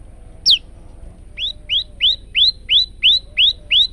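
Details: Male prinia on a training recording: a single sharp falling note, then eight rising chirps repeated evenly at roughly three per second over a soft hum.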